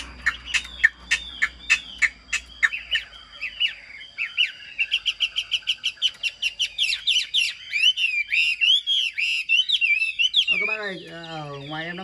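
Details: Caged Chinese hwamei kept as a songbird, singing well in a full, structured song: rapid runs of sharp repeated chirps, then varied loud whistled and buzzy phrases; a man starts talking near the end.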